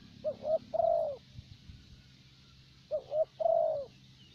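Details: Decoy spotted dove from Vietnam, the preferred local type valued for even, steady calling. Two phrases, each two quick soft coos then one drawn-out descending croon, separated by a short pause in a quiet setting.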